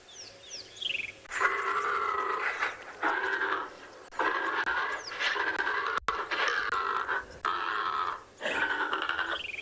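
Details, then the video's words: A Secretarybird gives harsh, rasping croaks in four long growling bursts of about two seconds each, oddly reptilian and likened to a velociraptor; faint thin whistles from small birds open the clip. "so just because i've had a few people ask here is the secretary bird's call again [Music] so um that's"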